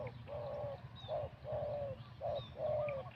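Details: Faint, distant coos from a wild-caught spotted dove in a singing contest. Soft short notes alternate with longer falling coos about once a second, partly buried under steady background hiss and low rumble.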